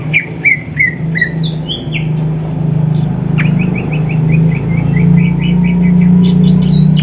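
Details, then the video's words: Greater green leafbirds from Banyuwangi and Sumatra, kept for singing contests, answer each other in the morning. Long chains of fast, evenly repeated chirps and sliding whistles run over a loud, steady low hum. "Cucak ijo Banyuwangi dan Sumatra cari lawan"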